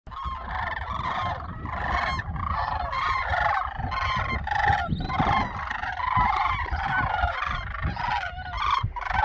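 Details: Flock of Sandhill Cranes flying over a farm on 27 December 2022, giving a dense chorus of overlapping rolling, trumpeting calls, steady throughout, with low rumbling background noise.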